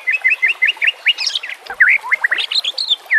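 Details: A White-rumped shama's song for training birds, with trickling water behind it: a quick run of repeated sharp whistled notes about five per second, then looping slurred whistles and higher chattering phrases.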